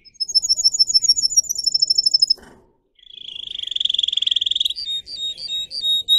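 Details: Singer canary song used for training canaries. Fast high rattling trills with two stacked pitches for about two seconds, a brief pause, then a lower rolling trill that swells and gives way to spaced, ringing whistled notes.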